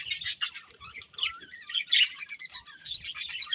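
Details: Budgies chirping in short, bright bursts of high, rapid twittering, with brief pauses between phrases and a few quick rising and falling notes.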